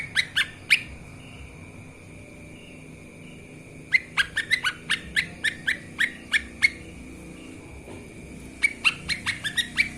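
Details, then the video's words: Lesser green leafbird in a master recording for training birds: quick bursts of sharp, downward-sweeping chip notes, three near the start then a long rapid series, over a steady thin high whine. "CUCAK IJOMINI masteran gacor langsung NARUNG...!"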